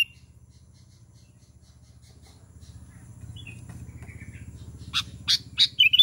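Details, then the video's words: A Sooty-headed Bulbul gives a burst of bright, sharp chirping calls, used to call other bulbuls, near the end after a low pulsing rumble that runs underneath throughout. "Suara KUTILANG panggilan kutilang gacor memanggil kutilang lain"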